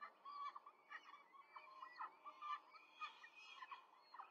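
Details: Four peregrine falcon chicks fed by the female at a nest in Rome on 5 May 2023: rapid, harsh squealing notes about twice a second, several voices blending into a continuous chatter.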